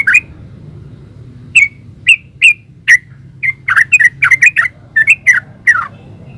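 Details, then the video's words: Spaced, clear chirps from a yellow-vented bulbul, first single notes about half a second apart, then quickening into a denser bubbly gacor ropel sequence over quiet low hum. "Suara burung trucukan GACOR ropel uplik"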